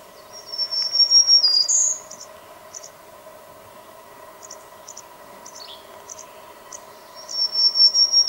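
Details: Black-throated green warbler singing a short phrase of high, thin buzzy notes ending on a higher note, repeated near the end, with soft high ticking between phrases over a steady droning hum.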